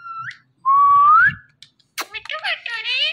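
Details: Pet parrot, one of a talking male and female pair, gives a loud, clear whistle rising slowly, then a burst of harsh, speech-like chatter. A person speaks softly before it, indoors.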